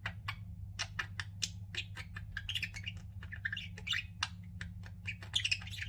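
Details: Pet budgerigars kept together, chirping busily: a dense run of short, sharp chirps and squawky twitters, some rising and warbling, overlapping from several birds, with a constant low hum underneath.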